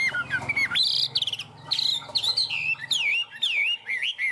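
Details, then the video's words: Chinese hwamei, a tame cage bird on a peach branch, singing loud rich whistles: a dropping note, then high sweeping phrases and twisting slurred whistles, with a low background hum in the first second. "Chim họa mi thuần, hót tốt, hót cao cầu"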